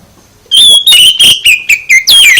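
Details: Oriental magpie-robin song intended to provoke a response: after a short silence, a string of loud, sweet whistles, each note slurring slightly lower, ending in a sharp rising-and-falling phrase.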